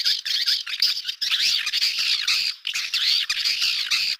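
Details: Swiftlet calls: a dense, continuous stream of high, shrill twittering chirps in bursts with brief gaps, around a second apart, with no other sounds.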